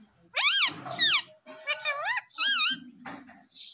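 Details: Talking Indian ringneck parakeet kept at home, said to say "Mummy Papa": a run of loud, strained, speech-like bent notes rising and falling in quick succession, with low muttering underneath, ending on a short squeak.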